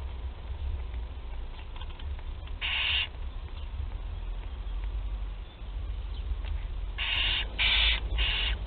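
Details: Barn owl chicks at Théding, France, during their first feeding on 8 July 2020: one hissing screech, a pause, then three rasps in quick succession over low hum.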